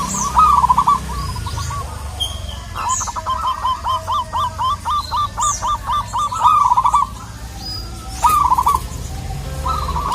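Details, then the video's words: Local zebra dove singing actively to challenge a rival; a long, even run of about a dozen clipped coos, evenly spaced and same-pitched, framed by shorter loud bursts, with faint high chirps and a low background rumble. "Perkutut lokal gacor memanggil lawan"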